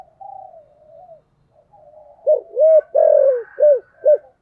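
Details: Decoy spotted dove of 'thổ' voice, calling with a 'hai hậu' ending at the start of 2023. Soft low humming, then a clear phrase of five hollow coos, the middle note longest and sliding down.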